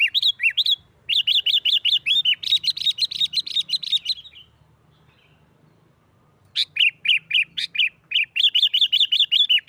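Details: Sooty-headed bulbul delivering the noisy 'gacor nggaruda' fighting song that provokes other bulbuls; dense rapid strings of ringing whistles, partly rising into a hurried chatter, then a short silence before another fast whistled run.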